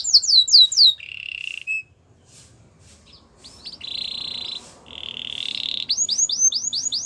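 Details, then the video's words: Gloster canary phrases: sweeping whistles, a high trill, pauses of near silence, two steady buzzy rolls, then a run of rising whistled notes. "Gloster canary singing"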